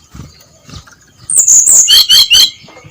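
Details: A short burst of ngeplong song from a brown-chested jungle flycatcher at dawn: four or five sharp, high whistled notes, after soft background rustling.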